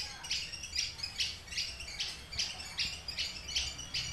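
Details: Caged Horsfield's bush lark of the Papuan form aliena, kept three years and tutored on finch songs, in full song: short bright buzzy chirp bursts repeated about twice a second at a steady pace, with low background hum.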